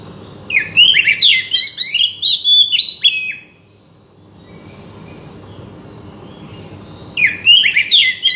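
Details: Oriental magpie-robin song for stirring a silent bird to sing: a three-second run of fast, buzzy, chattering whistled notes, a quiet gap, then the chatter resumes, with low background hum.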